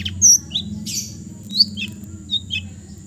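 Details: Relaxed long-tailed shrike song from East Java with scattered fill notes: a sharp high whistled note, a harsh rasp, then brief squeaky chirps and slurred calls separated by short pauses.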